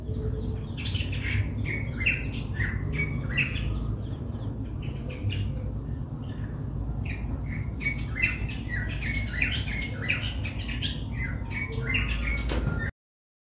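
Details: Sri Lankan White-bellied drongo, recorded on a Nikon COOLPIX P1000, gives a long run of short chirps and whistled notes that vary in pitch, some clipped and some slurred. They come in irregular clusters over a constant low background hum.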